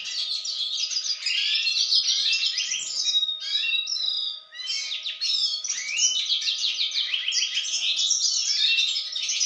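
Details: Yarrell's siskin, a male from 2016, singing a continuous rapid jumble of high twitters, sweet slurred whistles and short buzzy trills. A brief dip near the middle, then the torrent resumes. A faint steady hum runs beneath.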